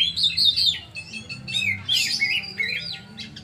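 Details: Captive oriental magpie-robin delivering a bright, jumbled song: quick twittering whistles, buzzy bursts and swooping notes in short phrases separated by brief gaps, over a quiet low hum.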